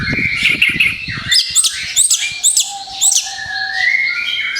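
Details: Orange-headed thrush song in rapid-fire bursts, used as a lure for other birds: shrill varied whistles and sharp downslurred notes in quick succession, with low scratchy rustling early on and a steady faint low tone underneath.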